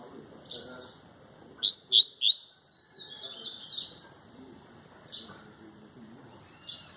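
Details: Double-collared seedeater singing without a female, tui-tui style: three loud rising whistles in quick succession amid fainter chirps, over a low murmur of background noise.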